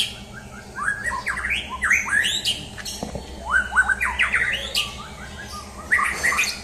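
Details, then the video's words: Champion white-rumped shama in a mental test. It delivers loud, varied phrases of sweeping whistles, harsh squawky notes and rapid rising slurs, with brief pauses between outbursts, over a low steady hum. "Tes Mental Murai Batu Juara"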